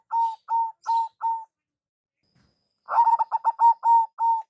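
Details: Local-strain zebra dove giving a lure call: a series of four even, mellow coos, then after a pause a fast stuttering burst of notes that slows into longer, level coos, all at one steady pitch.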